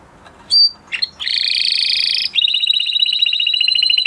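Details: Male canary opening with a few sharp high notes, then holding a dense buzzing trill that drops into a lower, rapidly pulsing rolled trill.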